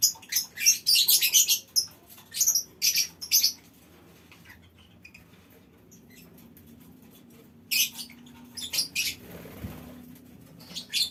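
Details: Aviary lovebird colony calling: a fast burst of shrill, grating chirps at the start, then a quiet stretch, then further scattered screeches.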